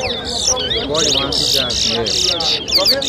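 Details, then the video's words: Towa towa singing in a 2023 bird whistling competition at Lusignan, Guyana: quick bursts of high, rapidly swept whistled notes, with a man's voice and music underneath. "TOWA TOWA BIRD WHISTLING COMPETITION"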